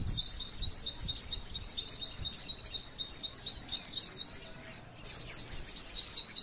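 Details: Female white-eye singing the long 'tembakan' style used to stir other white-eyes to sing: rapid, shrill, unbroken chirping runs with emphatic whistled bursts near four and six seconds, pausing briefly just before five seconds.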